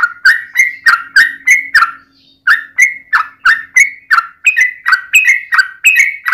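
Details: Yellow-vented bulbul in full 'gacor' song, played to trigger other bulbuls to answer: steady series of bubbly two-part whistled notes, roughly three per second, with one short pause, loud and close.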